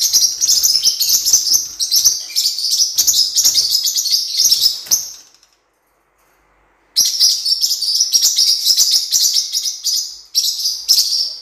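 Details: Blue-winged parrotlet song: dense, rapid, high-pitched chattering twitter for about five seconds, a two-second silence, then the same busy squeaky chatter resumes.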